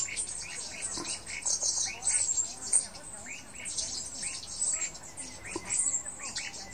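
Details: Black-throated bushtits calling at Fushoushan Farm, 22 September 2016. High, sibilant twittering runs continuously, mixed with short arched notes repeated several times a second. A faint murmur sits in the background.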